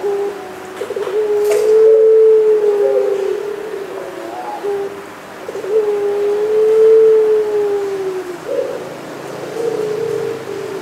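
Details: Barbary dove of the pelung type, recorded 3 March 2020, gives long low drawn-out coos, each a sustained hum lasting a few seconds, repeated roughly every five seconds against faint background hiss.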